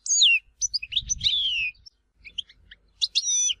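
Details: Goldfinch song from Tizi Ouzou, Algeria: clear high whistled slurs descending in pitch, interspersed with short chirps, a brief quiet gap, then more sliding whistled notes.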